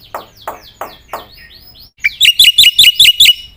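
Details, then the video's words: Black-winged myna singing energetically: four rough downward-swept notes, a short pause, then a fast run of about seven bright, sharply rising whistled notes, each one repeated quickly. "suara burung jalak putih gacor"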